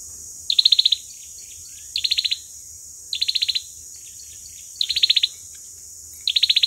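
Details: Olive-backed sunbird fighting song used as a lure: bright, rapid high trills of sharp ticking notes, each burst under half a second, repeated about every 1.5 seconds over low hum.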